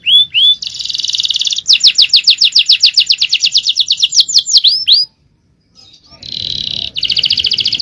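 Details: Male canary in long champion song meant for tutoring: two rising whistles, a buzzy rattle, then a long rapid trill of sweeping notes, a brief silence and more buzzing trills.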